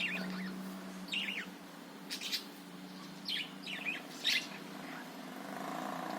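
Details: Budgerigar warbling, used to spur other birds to sing, comes as bursts of quick chirps and squeaky twitters separated by short pauses, over a constant low electrical hum.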